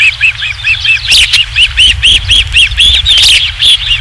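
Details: Osprey at its nest, Dunrovin Ranch, 27 July 2016, during the third fish: a rapid, even series of high, arched whistled chirps, about four per second, continuing throughout over a low rumbling background.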